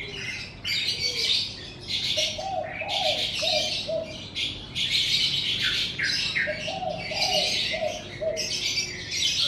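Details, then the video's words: In the morning outside a house, a chorus of birds gives loud, rapid chirps and squeaky twitters in repeated bursts, with mellow, drawn-out cooing phrases in between and a constant low background hum. "Suara Kicau Burung"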